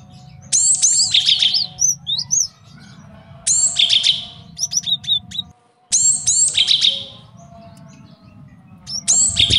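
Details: A male Java sparrow sings a training and trapping master song: three long bright phrases of high trills and bell-like whistles, each followed by short chips, with brief pauses between.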